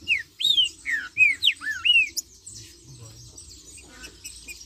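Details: Green-winged saltator singing in the marcheando style: a quick run of loud, clear whistled notes, each sliding down or arching, about six in two seconds, then a pause with a faint high hiss of other birds behind.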